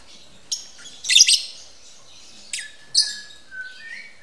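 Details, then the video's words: Captive breeding lovebirds during mating. Scattered shrill chirps and a harsh chattering burst lead into a sharp call and a thin whistled note that falls and then holds level. "Burung lovebird kawin"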